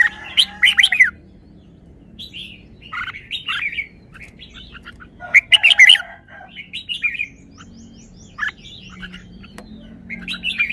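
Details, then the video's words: Red-whiskered bulbul singing fine song phrases: quick bright warbled bursts separated by pauses, with fainter chirping notes between the louder phrases. "นกกรงหัวจุก จ้าวมาดี สำนวนดี"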